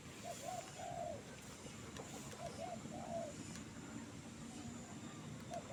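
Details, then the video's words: Trained bird calling from a jengkol tree, giving paired soft hooting notes followed by a longer drawn-out coo, repeated twice with pauses, against constant low background rumble and faint distant noise. "burung ajaran.. gacor liat BL di pohon jengkolll"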